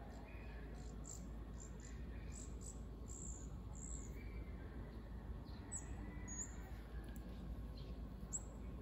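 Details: Guaiabero, recorded 18 August 2024, gives thin, shrill, high squeaky notes in quick bursts, set against a steady insect whine and a low background rumble.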